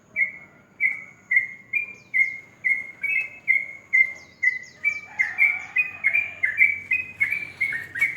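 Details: Sooty-headed bulbul singing in the morning: a steady run of short whistled notes near one pitch, repeated about twice a second, with faint higher chirps from other birds overhead.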